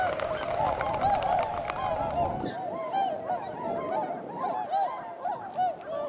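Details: Early February morning, around 8 a.m.: swans running upwind ahead of takeoff, honking in a dense chorus that thins after a few seconds into distinct arched, bugling notes about once per second.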